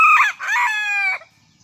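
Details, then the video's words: Brief, loud morning crow from a Serama junglefowl perched on a hand after leaving its cage, two choppy harmonic bursts running into a steady, level closing note that stops sharply. "Ayam Hutan Serama Rajin Berkokok Pada Pagi Hari"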